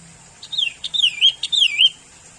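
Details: Sooty-headed bulbul song, a brisk phrase of three melodious swooping notes, each starting with a short click-like onset and sliding downward, all within about one and a half seconds.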